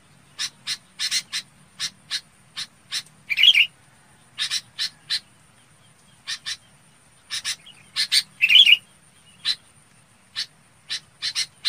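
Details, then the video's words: Red-whiskered bulbul flock calling: quick, sharp, high chips in uneven bursts, twice broken by a louder, richer bubbling phrase. "Tiếng Chào Mào Bông gọi bầy"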